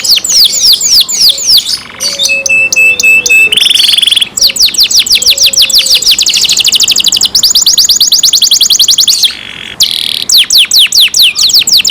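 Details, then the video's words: Long canary song from a kept bird: cascading down-slurred whistles, a flat sustained whistle, rapid rolling trills and repeated sweeping notes, almost without pause. "canary Nice sound"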